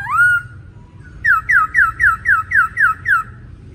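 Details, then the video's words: Male laughingthrush in vigorous song. A rising, drawn-out whistle opens the passage, followed by eight evenly spaced descending whistled notes, roughly three per second, with quiet low background noise. "Khướu trống,hót xung. giọng hay"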